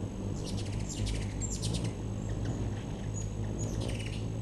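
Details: Hummingbirds at a backyard feeder, September 2013: quick runs of sharp, high twittering chips in clusters, then a few thin squeaks, over constant low-pitched background hum.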